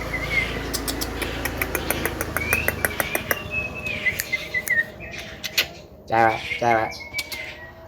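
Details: Tame Javan myna, skilled at talking and singing with full fill notes: long level whistles broken by rapid clicking ticks, then a burst of buzzy rasping notes and further whistles in a small room.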